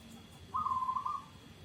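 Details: Song of a local zebra dove: one short, quick, purring trill held at a steady mid pitch, with quiet low hum behind it.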